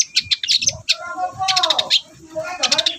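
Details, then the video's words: Long-tailed shrike in full, loud song intended to provoke silent shrikes: quick high chirps and twitters run into a descending warbled phrase, then more rapid chirping. "BURUNG CENDET GACOR DORR, BIANGNYA PANCINGAN CENDET LOYO"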